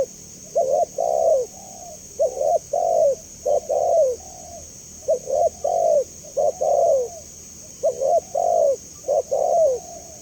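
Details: Spotted dove calling steadily as a lure for other doves: paired short rising coos followed by a longer, slightly falling note, phrases repeated roughly every one and a half seconds, with faint trailing coos and a constant hiss.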